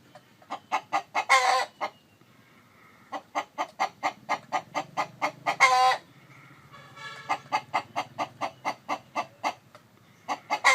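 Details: Chicken, said to be a rooster calling while a hen broods eggs. Long runs of evenly spaced sharp clucks, each run ending in a loud, rasping, stretched squawk. Three such phrases, with a faint low hum beneath.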